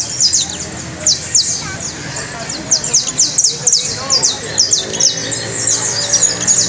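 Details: High-pitched canary trill of fast repeated downslurred notes in rolling bursts, steady and bright throughout, low hum in the background.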